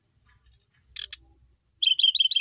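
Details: Kept, settled brown-chested jungle flycatcher that keeps singing steadily whatever is done to it. After a few sharp clicking bursts comes a high thin whistle, then a run of quick warbled notes dipping and rising at a lower pitch.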